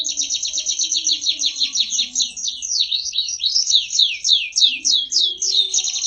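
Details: Prize-winning canary in full, lively song: rapid trilled phrases of repeated notes between high whistles, shifting into faster downward-sweeping slurred notes, continuous throughout, with a faint low hum beneath.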